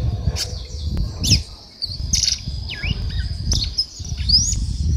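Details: Female red-cowled cardinal singing like a male: short slurred whistles and sharp chirps, some rising, others dropping, delivered in scattered bursts over a steady high-pitched hum and a constant low rumble.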